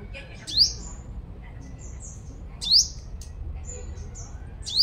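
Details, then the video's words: Five-coloured sunbird used as a lure, Long Thành, Đồng Nai, Vietnam: three strong, piercing rising chirps roughly two seconds apart, with soft thin high notes in between and low background noise. "Chim Hút Mật 5 Màu Mồi Siêu Hót"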